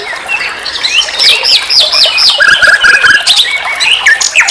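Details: Common nightingale, sikatan londo, on a songbird training recording. Loud hooked whistles repeated about four times a second, a soft stuttering series beneath them, then scattered sharp upslurred notes.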